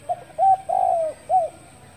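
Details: Morning call of a spotted dove, dated 10 February 2021, given as a provoking call: a short note, a clear coo, a long level-then-falling coo and a short final coo, deep and hollow, with quiet background.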